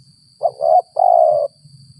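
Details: A spotted dove taken in a post-rain trapping session and prized for its gagap 6 mata style gives a stuttered coo: a brief hoot and a wobbly note, then one drawn-out mellow coo, with soft low rumbling in the background.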